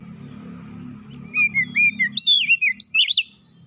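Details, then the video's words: Sweet whistled magpie-robin song used to prompt a house-kept bird into singing: a run of short, upslurred and downslurred notes, growing louder and more varied toward the end, over a faint low rumble. "kicauan indah memancing suara Kacer rumahan ikut gacor"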